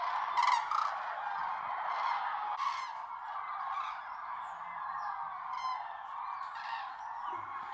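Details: Common cranes calling at a golden sunrise in the wet Tister Bauernmoor; a loud flock chorus of trumpeting, with sharper individual calls rising above it in quick, irregular bursts, fading slightly toward the end.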